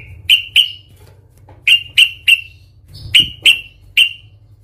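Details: Yellow-vented bulbul giving its aggressive "cuk cuk" fighting call to provoke rivals: bright clipped notes in pairs and triplets, each with a brief trailing tone, about three per second within groups.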